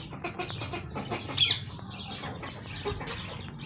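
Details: White helmeted guineafowl (Numida meleagris) give harsh, rapid clucking and chattering calls over a steady low background rumble.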